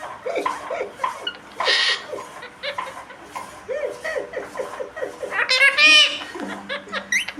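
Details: Parrot talking, apparently saying "roti debe", with a rapid chatter of short, voice-like syllables and some shrill upper notes, mixed with human laughter.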